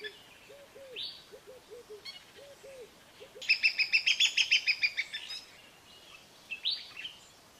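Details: Low, arched whistled notes from a crowned hornbill, grouped in twos and threes. A loud series of quick pulsed notes swells and fades, and sharp rising chirps are heard before and after.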